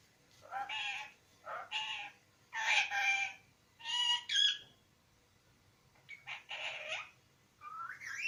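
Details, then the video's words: Pet parrot that has just started talking, giving a string of varied harsh, harmonic speech-like syllables in short bursts separated by brief pauses, roughly seven utterances in eight seconds against a quiet background. "My beloved parrot 🦜🦜Has Started Talking ][ Mera Tota Bolne Laga"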